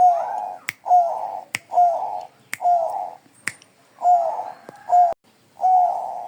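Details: Bangkok zebra dove song: a steady series of soft, rolling coos, each with a short bright lead-in and a humming tail, about one per second. A brief gap comes midway, and crisp snapping clicks punctuate the phrases.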